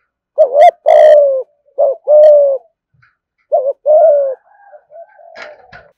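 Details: Spotted dove in a cage calling in thúc gù style, two phrases of a quick rising note and a long coo, followed by faint soft notes and a brief click.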